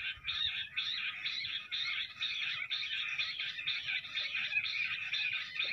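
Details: Jungle bush quail in a fight, calling beside a net with an unbroken string of coarse, buzzy chattering notes, about two per second, sustained through the whole stretch over faint background rustle.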